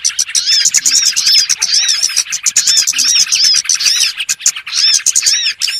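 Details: Small birds in a lure recording used for trapping: a dense, continuous chatter of high, sharp chirps and arched, slurred notes, many birds calling over one another with barely a pause.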